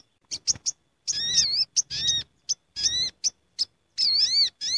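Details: Sooty-headed bulbuls gathering in a noisy flock, used as a lure sound: quick sharp chips alternate with longer buzzy, harmonic notes that waver up and down, several birds overlapping in a busy, chattering sequence.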